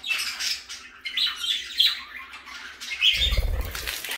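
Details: Pet parakeet indoors giving scratchy squawks and short rising chirps in uneven bursts, followed near the end by a low fluttering thud like wingbeats.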